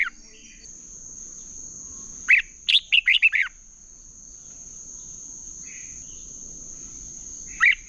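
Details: Competitive-singing (hót đấu) red-whiskered bulbul, used to stimulate other bulbuls: mostly quiet, then a sudden tight cluster of five or six sharp, sweeping whistled notes, with short isolated notes at the start and end and a steady electronic whine throughout.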